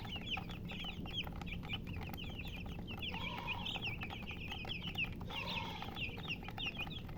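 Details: A group of baby chicks chirps continuously: rapid, high, down-slurred peeps from several birds overlapping, with a few lower, longer notes among them, over a constant low hum.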